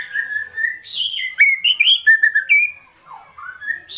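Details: White-rumped shama in an agitated state, delivering kretekan: sustained whistles, quick sliding notes and short ticking bursts follow each other without a break, with one lower downward slur.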